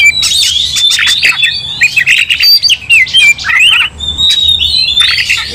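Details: Aggressive White-rumped shama in fighting mood, pouring out a fast jumble of bright whistles, buzzy rasps and abrupt clicks with little pause, loud and close.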